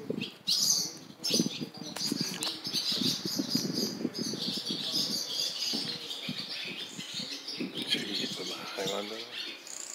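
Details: Barn swallow young begging as a parent brings food at a nest by the Jeongseon passenger terminal, Gangwon-do, Korea, phone recording. High, scratchy twittering runs almost continuously, mixed with low thumps and background street noise.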